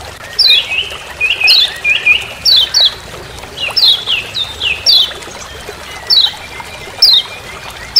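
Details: Forest recording of a lemon-bellied white-eye (kecial kuning Lombok) giving "ciak ciak" calls: quick high descending chirps mixed with lower slurred whistles, delivered in close runs, with soft hissing background.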